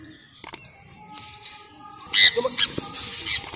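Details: Sun conure during morning free flight, giving three loud, harsh, broadband screeches in quick succession after a quieter stretch of faint steady tones and soft clicks.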